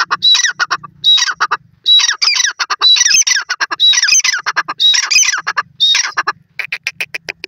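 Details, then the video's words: Francolin, locally called teetar, calling loudly: harsh, grating bursts of rapid clicking notes with thin whistled accents, repeated about once a second with short pauses between phrases, over a faint low hum. "Teetar voice,Pure Natural Sounds of the Francolin"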